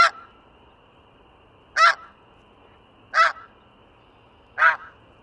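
Snow goose giving four loud, nasal, barking honks, each about a quarter-second long, spaced roughly one and a half seconds apart, over a faint steady hum.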